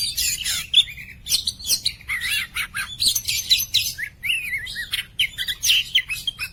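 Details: Clear-voiced poci Oriental magpie-robin song for training other cage birds: dense, lively sequence of high harsh chips and buzzy notes interwoven with wavering whistled slurs, nearly continuous with short gaps.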